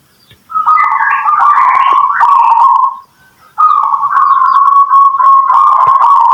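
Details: Local zebra dove song meant to lure other birds into replying: two long, rolling, mellow coos with a wavering tremolo quality, separated by a half-second pause, in a quiet room.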